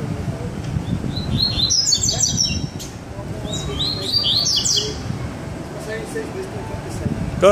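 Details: Caged double-collared seedeater (Sagat coleiro), singing again after bathing, gives two quick bursts of high, sweet twittering notes separated by a short pause, over a low background rumble and faint voices.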